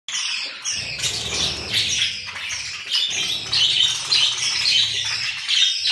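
Budgerigars chatter continuously with fast, scratchy warbles and chirps high in pitch.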